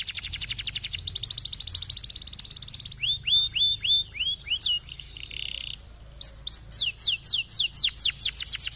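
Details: Canary song, a lively high-and-low singing bird used as a master recording to prompt stalled canaries into rolling song: a fast buzzy trill, then rapid repeated downslurred whistles, a short pause, and a run of sweeping rising notes.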